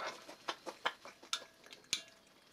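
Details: Eight-week-old grey parrot (Psittacus erithacus) chick begging while being fed: short, raspy, pulsing begging grunts about three to five times a second, with faint clicks from the feeding.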